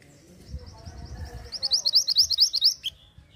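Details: Hill blue flycatcher recording for luring birds: a long, quick series of loud, clear high whistles, each note rising, ending with a single lower chip.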